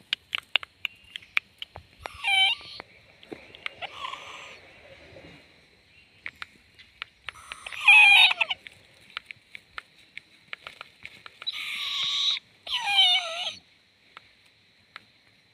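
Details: Young owl swaying about: several short rasping, hissy screeches with falling harmonic tails, coming in bursts a few seconds apart, separated by quiet stretches with sharp clicks.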